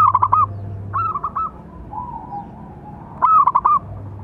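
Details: Local zebra dove calling to provoke and train other doves: a loud burst of quick, clipped coo notes, a shorter phrase, a quiet lower coo, then another loud rattling burst, over a steady hum.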